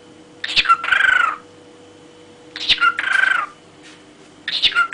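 A parrot gives three phrases about two seconds apart, each a brief harsh chatter followed by a longer, nasal, slightly falling speech-like tone.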